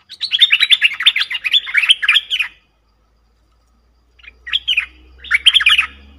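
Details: Cream-vented bulbul lure call for trapping: a long run of quick, gurgling chattering notes, then a pause and two shorter bubbly phrases.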